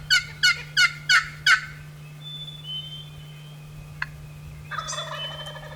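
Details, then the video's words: Wild turkey gobbling early on an April morning during a spring hunt: a loud rattling burst of five quick harmonic pulses at an even pace, then a rougher burst near the end, with thin whistled songs of other birds and a steady low hum. "i know a few sounds that elicit more excitement than the early morning gobble of a wild turkey let's listen in on an april morning"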